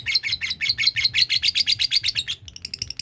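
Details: Lovebird practising the 'ngekek' trill that sets other birds calling; a rapid chattering series of harsh, high notes at about six per second, fading into softer scattered chirps at the end.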